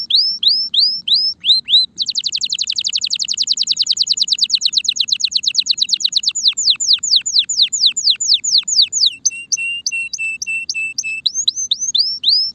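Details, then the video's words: Song of a canary described as a Spanish Timbrado ready for mating: loud, rapid trills of repeated downslurred notes, then a steady metallic rattle and bright chirps; identified as a Belgian canary. "غناء طائر الكناري تمبرادو جاهز لتزاوج صوت الكناري"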